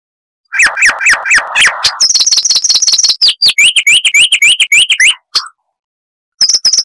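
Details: Chestnut-vented warbler from South Africa's bush and dry river edges, loud clear song: buzzy chattering notes at first, then a fast string of repeated high chips and down-slurred whistles, a short pause, then a brief burst of high chips.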